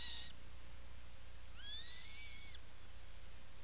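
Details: Atlantic puffin in its nesting burrow on Seal Island National Wildlife Refuge, Maine, on 17 July 2018, picked up by a burrow camera: a short call, then a drawn-out rising-then-level whistled call rich in overtones, over a steady low hum.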